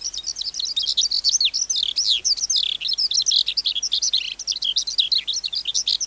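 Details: Skylark captured wild as an adult, its song used to teach young captive birds: loud, breathless high warbling with rapid trills, sweeping whistled slurs and clipped chirps repeated in quick succession.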